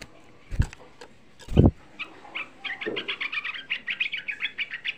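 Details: Rapid lure song of a young sooty-headed bulbul, aimed at provoking rival bulbuls. Two low thumps open, then a steady stream of short, quick chattering notes continues to the end.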